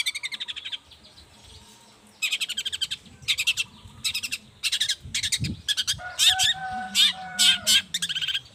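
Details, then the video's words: Long-tailed shrike singing in the morning to lure other shrikes to reply: bursts of rapid, harsh rattling rasps separated by short pauses, with a steady tonal hum behind the later bursts. "Suara cendet gacor Pagi Hari pancingan jitu BIKIN cendet diam langsung nyaut ikutan bunyi"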